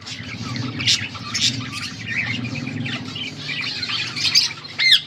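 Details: Budgerigars chattering, recorded August 14, 2024, with a constant low hum underneath; warbling high notes and occasional sharp squeaky chirps, louder bursts near the end.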